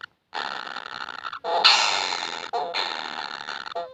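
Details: Kingfisher nestlings begging for food utter harsh, hissing buzzes in long bursts, with short breaks between them and a rising intensity in the middle section.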